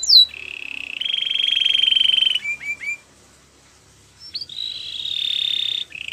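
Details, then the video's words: Canary song played to coax a quiet canary to sing: long buzzy sustained rolled trills broken by a few quick upward chirps and a short silence, then another buzzy roll. "Your canary is quiet? Will sing again after listening to this"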